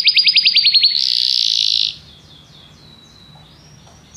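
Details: Belgian canary song opening with a rapid pulsed trill, then a sustained dense buzzy rattle for about a second, followed by quieter descending slurred notes and a faint whistle.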